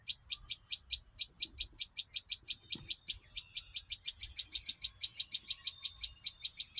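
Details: Bird chirping in a fast, even series of sharp, high chirps, about five every second, each a short bright note, continuing steadily throughout against a quiet, low background.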